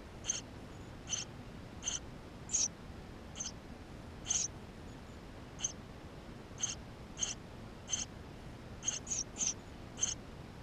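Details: Inside a Eurasian tree sparrow nest with nestlings, May 2016, GoPro: a long run of some seventeen quick, high, raspy chirps at uneven intervals, sometimes two or three close together.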